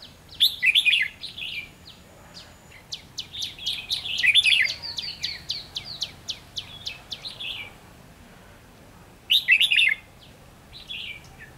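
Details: Red-whiskered bulbul decoy at a trapping site, 7 November 2016: loud warbled bulbul phrases open and close the passage, while a long run of rapid, sharp repeated ticking notes fills the middle, likely another bird.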